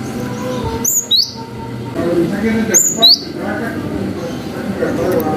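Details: Javan munia (gelatik batu) singing a long "wucit" lure song meant to provoke other birds to reply: paired high whistles sliding sharply downward, repeated about every two seconds, over a low steady background rumble.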